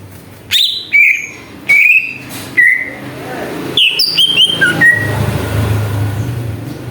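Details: Greater green leafbird song used as a lure to agitate other birds: separate clear whistled notes, some sliding down, with short pauses between, then quieter, and a low hum underneath.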